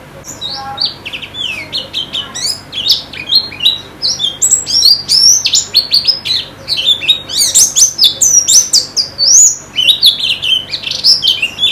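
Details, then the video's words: White-eye (pleci) song played as therapy to make caged birds sing more eagerly, in the style of a singing contest: dense, rapid, high twittering with quick rising and falling notes, several voices overlapping, steady faint hum behind. "Terapi Pleci Cepat Ngalas dan Semakin Gacor"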